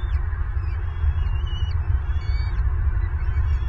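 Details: Bald eagle nest camera in Southwest Florida, February 25, 2023, during feeding when the adult becomes angry at both chicks; a few high, thin, squealing whistles, some sliding downward, over a heavy low background roar.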